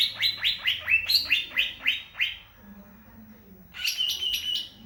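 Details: Greater green leafbird (cucak ijo) song: a quick series of about nine loud downslurred whistles, evenly spaced, followed by a pause and a fast, chattering run of high notes.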